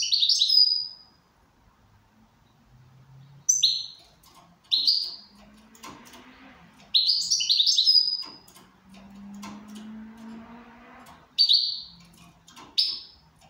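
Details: Goldfinch in good condition, singing indoors: bursts of high tinkling twitter and short sharp chirps, separated by quiet gaps, with a low hum and faint knocks in the room.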